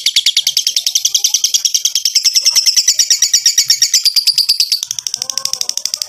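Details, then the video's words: A lovebird's long ngekek song, used as a lure recording to get other lovebirds singing: shrill, buzzy chattering notes packed several to the second, rising slightly in pitch before a brief break. "LOVEBIRD NGEKEK PANJANG"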